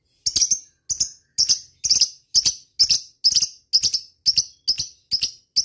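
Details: Lovebird calling to rival birds with ngetik sounds, sharp high clicking chirps in short double bursts, repeated steadily about twice a second.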